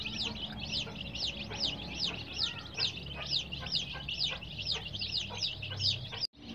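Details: Colored baby chicks give clear, high, V-shaped peeps in rapid succession, many birds overlapping, before the sound briefly drops out at the end.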